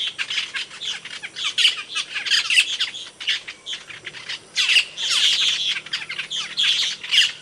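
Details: Asian glossy starling (cucak keling) from Indonesia: harsh, piercing high squawks and chirps in clustered bursts separated by brief quieter spells.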